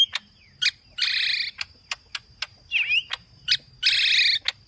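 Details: Green leafbird singing aggressively in full, varied song: sharp vertical chips alternating with harsh buzzy bursts and a few slurred whistles, all high-pitched and loud.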